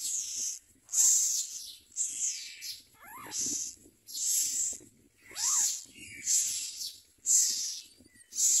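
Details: Common myna at its nest, catching crickets to feed its young: harsh, hissing rasps repeated roughly once a second, with two brief falling whistles between them.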